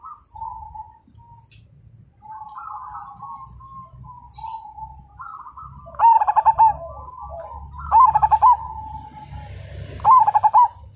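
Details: Zebra dove described as a vigorous 'fighter' singer that sets others singing: soft background coos at first, then three loud pulsed coo phrases about two seconds apart over a low rumbling hum.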